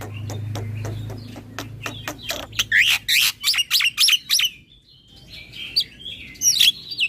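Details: White starling (Javan pied starling) singing full to provoke other starlings: a quickening rattle of sharp clicks builds into loud harsh chattering notes, a pause, then scattered scratchy whistles; a low hum underneath early on.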